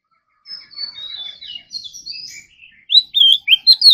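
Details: Oriental magpie-robin in morning voice training for competition singing: a soft run of repeated chips and thin whistles grows into loud, sharply rising and falling whistled notes.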